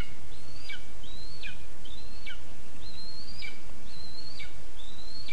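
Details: Lesser spotted eagle chick demanding food at its nest in a spruce, Zemgale, Latvia, 20 August 2024: thin, high rising-then-dropping whistled calls repeated about once a second over a steady low rumble of background noise.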